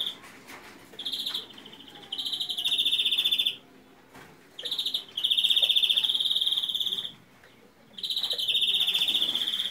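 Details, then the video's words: European greenfinch giving a faulty song: bursts of fast, buzzy trills, high-pitched and about two seconds long, separated by short, quieter gaps. "Flurya Kuşu ötümü 762 - Hatalı Geçmeli Ötüm (Bad Sound)"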